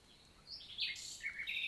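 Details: Nightingale song on a June 2023 summer morning in forest countryside of the Lot, south of France: a brief run of varied, sliding high notes that grows louder into a harsh, rich ending.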